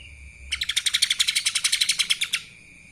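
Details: Lesser green leafbird song in the kapas tembak style: a rapid, buzzy trill of about twenty sharp, evenly spaced high notes lasting under two seconds, with a steady thin whine underneath.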